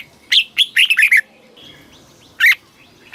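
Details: Red-whiskered bulbul kept caged in Thailand, singing southern-style master phrases used to excite birds and teach chicks; one quick cluster of bright, rolling notes, followed by a lone loud chirp and the start of another.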